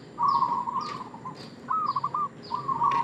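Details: Lure coos of a local zebra dove in Indonesia: three loud, trilled coo phrases. Another bird adds sharp, falling high chirps between them.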